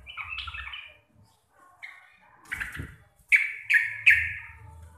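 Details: Local Javanese sooty-headed bulbul with a clear, loud, deep voice: soft warbled notes at first, then three strong harsh bursts in quick succession, each trailing downward.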